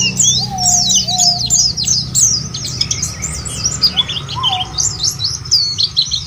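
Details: Lure recording of white-eye song to get white-eyes singing: high, looping twitters and slurred chirps, with occasional lower whistled notes and a low hum beneath.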